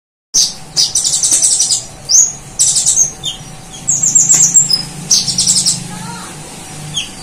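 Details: Van Hasselt's sunbird (kolibri ninja, konin) in very active full song, imitating the cililin bird and golden grasshopper. Bursts of high buzzy trills alternate with sharp upslurred chips, delivered in quick uneven phrases over a steady faint hum.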